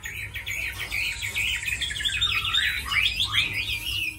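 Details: Tame Chinese hwamei, described as fighting well and singing well, gives a rapid stuttering run of short notes that builds into loud swooping warbled whistles, with a steady low hum.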